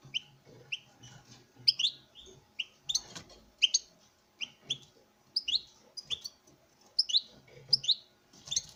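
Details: Courting captive male goldfinch addressing a female with steady, sparkling twitter: sharp chirps and liquid slurred notes repeated roughly every half second, with faint scratchy background noises.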